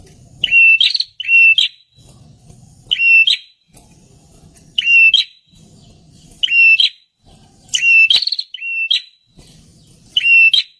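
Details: Wild-bird lure recording of prinia song: short, piercing whistled phrases with buzzy endings, often doubled, repeated about every one to two seconds, low faint rumble in the gaps.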